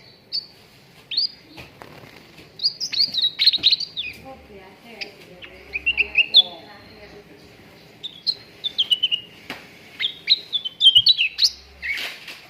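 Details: Training song of cucak ranting for contest birds: busy chirping and whistled warbles, with rapid stuttered note clusters repeating through the phrase.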